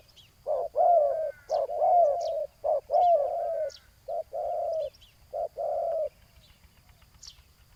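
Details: Spotted dove decoying on the ground to draw a rival. A fast run of overlapping hooted coos, some long and bent, ends after about six seconds. Faint high chirps of small birds follow.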